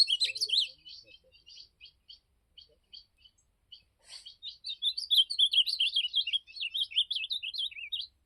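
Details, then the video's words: Campeada-style song of an ultramarine grosbeak: an opening burst of warbles, then spaced short chips, then a long, rapid, rich phrase of slurred rising and falling whistles; a soft knock sounds around four seconds. "Campeada de Azulão"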